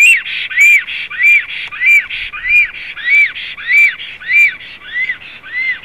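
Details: Black storks at a nest in Zemgale, Latvia, on 7 April 2016, from a live nest stream: evenly spaced, arched whistling calls with a rasping edge, repeated about every 0.6 seconds.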